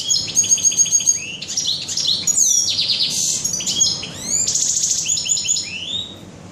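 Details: In a bird shop on 21 June 2015, a European goldfinch pours out fast tinkling song: rattling trills, buzzy notes and rising whistles in quick succession, with faint low hum behind.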